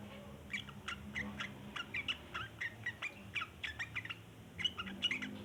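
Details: Sooty-headed bulbul chattering at length: spaced, scratchy chirps and short rattles repeated irregularly about every half second, fairly faint against a humming low background.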